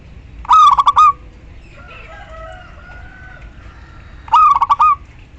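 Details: Calling female zebra dove, local type, luring a male: two bright stuttered coo phrases with a trailing long note, separated by soft, drawn whistling notes from another bird.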